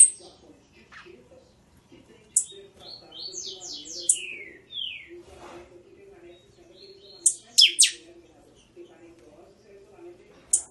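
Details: Buffy-fronted seedeater in the Chanchão song style, Catatau type: scattered high chips, a descending series of buzzy slurred notes and a later loud stuttered cluster, with soft low murmuring in the background.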